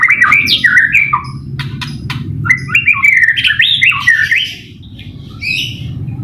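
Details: White-rumped shama song used as a training and lure recording for kept birds: loud, varied whistled phrases sliding up and down, with quick chattering notes and brief pauses, over a low rumbling background.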